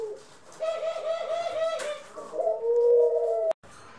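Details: Pet doves, from a household keeping Ringneck, Senegal and hybrid doves, recorded April 25, 2021: a steady, low, tonal coo that holds a level pitch for about a second and a half, pauses briefly, then returns as a second, slightly lower sustained coo.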